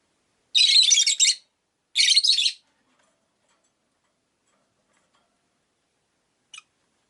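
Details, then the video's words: Caged pet rosy-faced lovebirds, five by a window, make two grating buzzy chirp bursts close together, then long silence broken by one faint tick. "Lovebird Chirping Sounds"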